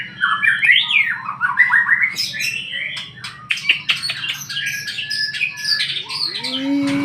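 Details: Magpie-robin kept at home, singing a lure song in the morning: a rapid tumbling stream of varied whistles and sharp chirps, loud throughout, over a faint low hum.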